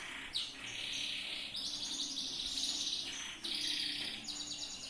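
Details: Loper-style yellow canary pouring out tutor song for birds in training: loud, buzzy sustained trills broken by brief sharp attacks, the phrases flowing almost without a break.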